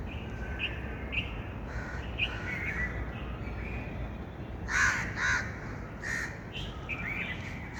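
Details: Bird outdoors with soft distant caws for the first half, then two loud hoarse caws close together near the middle, followed by further quieter rasping calls over background noise.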